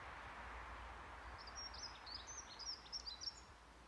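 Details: A Dunnock (Prunella modularis) sings in Mingen, Njurunda, Sweden, on 7 May 2021: a quick, high, jingling warble of thin notes lasting about two seconds, over a steady outdoor hiss.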